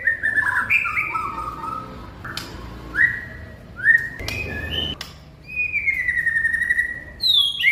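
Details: White-rumped shama singing: a run of clear whistled notes that jump between pitches, short upward slurs, then a long, gently falling whistle with a faint buzzy edge, and a few sharp clicks in between.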